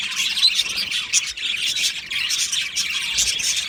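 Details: Budgerigar colony in an aviary: many birds chirping and warbling together in a dense, continuous high chatter of overlapping twitters and short squawky notes, with no pauses.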